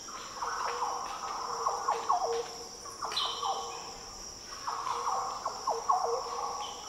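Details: Green Oriole song in the Daintree rainforest of northern Australia: rich, deep fluty phrases in three clustered bursts, with steady cricket-like insect whine overhead.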